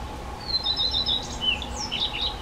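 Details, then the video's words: Black redstart (Phoenicurus ochruros) singing thin, high, slightly scratchy notes in quick short bursts over a steady low hum; a common redstart (Phoenicurus phoenicurus) sings in the background. "Rehek domácí, Black Redstart, Hausrotschwanz, Zwarte roodstaart, Горихвостка-чернушка"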